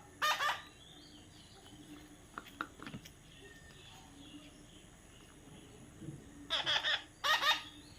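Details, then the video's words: A young parrot gives a single harsh squawk, then faint clicks and a quiet stretch, and finally three rasping squawks in quick succession near the end. "natural funny parrot sound"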